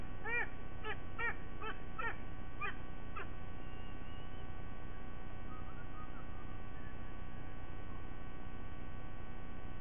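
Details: Wild white-bellied sea eagle pair joined by their two chicks in a morning singing ritual at a nest in Sydney Olympic Park, Australia, 29 September 2023, recorded by nest camera: a series of about seven loud honking notes over three seconds, then steady low hum.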